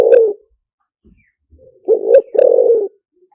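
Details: Spotted dove decoy song, liu tan style, used to bring wild doves in: the tail of one coo, a pause, then a full phrase of a brisk double coo and a long raspy coo.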